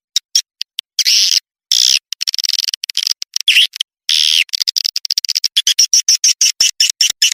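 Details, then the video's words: Swiftlet lure call sound for drawing in swiftlets: clipped, rapid buzzy chirps in quick trains, several longer rasping bursts, and rhythmic pulses toward the end, all high-pitched with abrupt gaps. "Suara Panggil Burung Walet"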